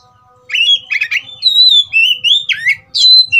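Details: Oriental magpie-robin stirred to fight, singing loud clear whistled phrases that slide up and down, with short buzzy notes in between, after a brief quiet start.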